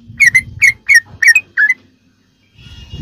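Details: Sooty-headed bulbul song used as tutoring material for captive birds: five clear, bubbly whistled notes in quick succession, then silence and a soft rumble of background noise.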